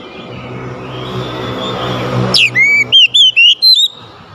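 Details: Oriental magpie-robin singing to provoke an idle magpie-robin: after a stretch of steady low humming noise, a sudden swooping whistle and a brisk series of short, clear, wavering notes.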